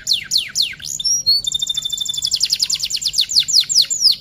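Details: Male F1 canary sings a rapid, high run of descending sweeps and bright rolled trills, pouring out notes continuously without pause.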